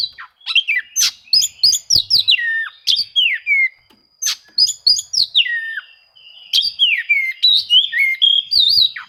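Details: Oriental magpie-robin delivering a rival-seeking song meant to provoke quiet birds into singing: rapid bursts of sharp, downward-slurred whistles repeated in several phrases with brief gaps.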